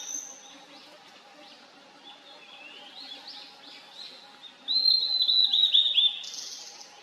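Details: Blue-and-white flycatcher in the wild, singing in a valley: faint distant whistled notes first, then a loud phrase of rapid, clear whistles sliding slightly downward, with a soft low hum throughout.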